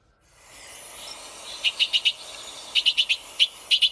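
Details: A Bewick's wren in the San Francisco Bay Area gives its call, short rasping high notes in quick bursts of three or four about a second apart, before its song, over a steady background hiss.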